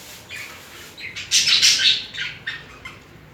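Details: Mating budgerigar pair showing romantic movements; soft chirps build into a loud burst of scratchy, warbling chatter with rising whistled notes, then taper off into a few short chirps.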